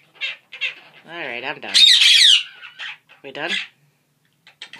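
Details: Quaker parrots kept as pets chatter in a scratchy, voice-like babble: short gravelly syllables, a loud harsh screech in the middle, then a few quieter clipped notes trailing off.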